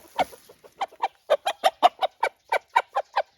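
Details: Household Araucana chicken, one of several call types used in different situations: a steady series of short, clipped clucks, about four per second, with no other sounds.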